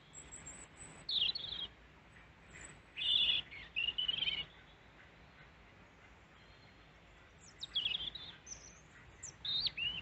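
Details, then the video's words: A male European robin in Peasholm Glen, Scarborough, UK sings short, thin, high phrases of varied trills and sliding whistles separated by pauses, after landing on the person's hand six times to take seed; European robin. "Robin singing to me"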